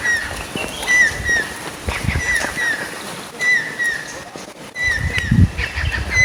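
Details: Stork-billed Kingfisher of Thailand calling: a series of loud descending whistles, often paired, repeated through the recording, with soft low-frequency background noise and a brief thud near the end.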